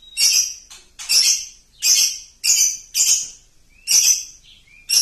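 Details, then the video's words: Champion lovebird lure sound: a series of loud, harsh, shrieking squawks, repeated about once a second with short gaps between them. "Pancingan Loberd Juara"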